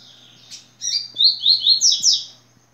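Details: Yellow-bellied seedeater giving its tui-tui song. A faint note comes first, then a buzzy start and five loud, high, down-slurred whistles in steady succession that rise toward a bright finish. Light background hum.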